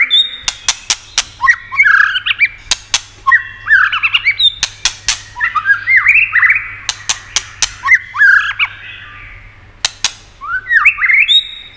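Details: Energetic white-rumped shama song meant to excite other shamas: dense bursts of varied whistled and buzzy phrases, many sharp dry clicks between them, repeated through the stretch.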